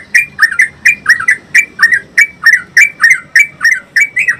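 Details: Yellow-vented Bulbul, known locally as trucukan, singing a long 'ropel' sequence for tutoring cage birds. Lively string of crisp, twisting chirps, some paired, about three or four per second, clear over quiet background.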